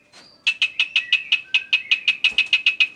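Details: Black-winged starling song used as a lure to draw other birds into singing: a faint thin whistle, then a fast run of about fifteen sharp, bright chattering notes at an even clip, all high-pitched.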